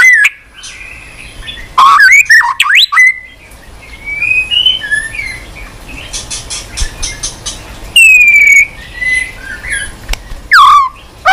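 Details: Enduring song of a white-rumped shama with many unusual notes, tail flicking on a perch: scattered loud bursts of swooping whistles and quick trills, with softer warbled passages between them.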